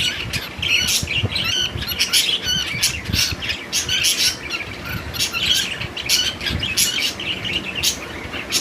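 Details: Cockatiel giving dense bursts of shrill squawks and chirps, the calls coming in quick clusters throughout over steady background noise.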